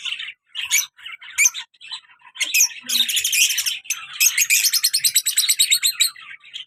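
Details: Lovebird pair kept as pets, colour male and black-masked female, lively and playful; short sharp chirps at first, then sustained loud chattering with fast repeated buzzy pulses.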